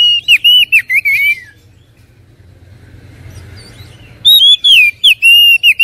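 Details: Oriental magpie-robin song for provoking other birds: loud, clear, wavering whistles in quick phrases, a quiet pause of a few seconds, then more bright whistled phrases.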